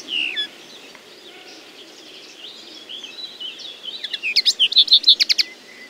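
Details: A Common linnet sings quiet, wandering twittery notes that speed up into a rapid, rhythmic series of sharp chirps near the end, roughly three per second.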